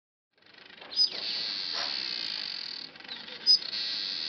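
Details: Masked weaver building its nest at Huab Lodge in Namibia: a dense, sizzling high-pitched buzz runs almost throughout, broken by two sharp bright notes about two and a half seconds apart.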